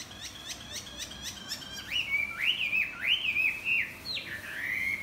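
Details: Chinese hwamei singing at dawn while flapping its wings: a rapid series of short, sharp ticking notes gives way to loud, looping whistles, each swooping down then rising, repeated three times before a long sustained note.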